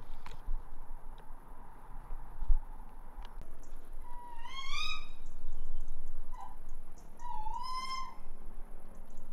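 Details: Calling tawny owl on a rooftop: two clear, drawn-out calls that rise and then drop, a few seconds apart, with a short faint note between them; steady low background noise throughout.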